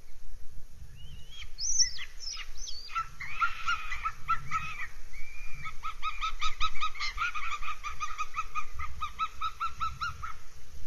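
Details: Northern goshawk at its nest in Abernethy Forest, Scotland, 3 July 2022: drawn-out, wavering wailing cries give way to a long, rapid stream of nasal kek notes, with a low rumble in the background.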